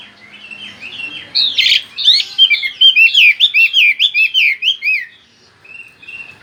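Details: Chinese hwamei singing in a rapid continuous roll: after soft opening notes, a run of loud, varied whistled phrases repeating about twice a second, sliding up and down, fading to quiet short notes near the end.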